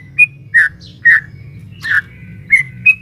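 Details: Sooty-headed bulbul female calling a male, used as a provoking lure for a caged bird; a few separate clear whistles, some flat and some slurred downward, spaced irregularly over a low droning background.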